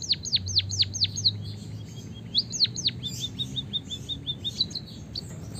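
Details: White-headed munia from Java singing a rolling canary-style song. Repeated sharply falling whistles come first, then a softer chattering run of short notes and more swoops. A low hum is audible in the background.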